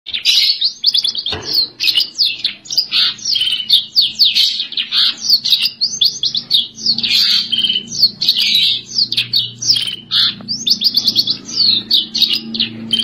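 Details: Eurasian tree sparrow singing actively: a dense, continuous stream of sharp high chirps and short twittering notes, rapidly repeated and overlapping throughout, with a soft low hum underneath.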